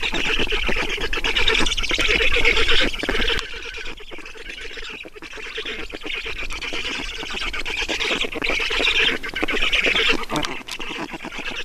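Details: Black stork chicks at a nest in Estonia during feeding, 5 June 2019, afternoon. Dense, continuous, harsh rasping squawks, repeated rapidly throughout, with strong low wind rumble underneath.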